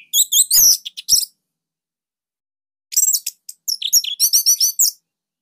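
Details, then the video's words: Orange-headed thrush from Bali used as master song for young or stalled birds; a quick burst of high twitters, a long silence, then a rapid run of repeated high chirping notes. "Kicauan Joss ANIS MERAH Pancingan Masternya Para JUARA"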